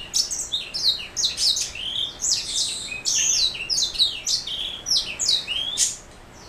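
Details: Black throat mule canary hybrid singing energetic high-pitched warbles and slurred chirps in tight runs, ending with a short quiet pause.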